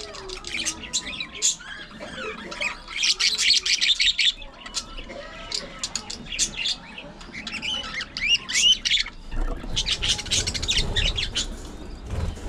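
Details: Budgerigars kept as pets, playing, fighting and grooming together, with bursts of fast scratchy chatter and bright chirps, several birds overlapping, separated by quieter softer warbling stretches.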